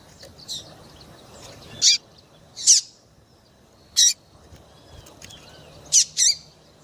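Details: Female double-collared seedeater chirping to set males singing: around six bright, short chirps, one faint early, the last two coming in a quick pair, with soft background hiss.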